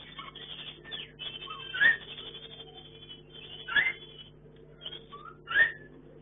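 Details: Chinese hwamei kept for breeding in a hanging cage gives four loud, sharply rising whistled notes spaced about two seconds apart. Softer chatter and short whistles from other birds fill the gaps, over a steady low hum.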